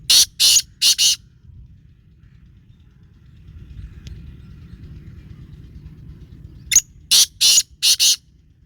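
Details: Black francolin giving harsh, scratchy call phrases: a group of three rasping notes opens, a quiet stretch of low background rumble follows, then a second burst of five grating notes at the end.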